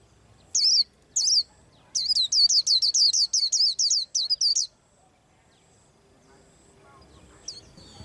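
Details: ['A white-eye preparing to moult gives two isolated high chirps, then a brisk string of about ten similar descending notes, followed by several seconds of near silence.']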